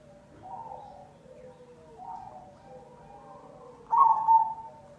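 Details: Zebra dove of the cemani variety singing a lure song: several quiet, wavering coos followed near the end by one sudden loud, trilled double coo.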